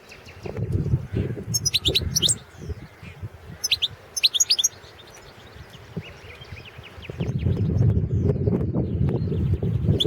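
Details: Goldfinch, subspecies Carduelis carduelis balcanica, singing in a 2017 world championship recording organised by a Serbian association. Quick, bright twittering phrases over the first half give way to low rumbling background noise in the last seconds.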